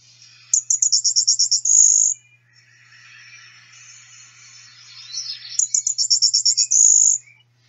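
Golden-winged Warbler type 2 song: a fast stutter of about ten high, buzzy notes ending in a longer buzz, sung twice, with fainter lower sweeping notes between.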